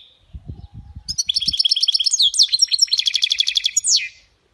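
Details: European goldfinch mule hybrid singing khalawi-style song: after soft low knocking, a fast, dense, liquid twittering burst of repeated tinkling notes with slurred sweeps, lasting about three seconds.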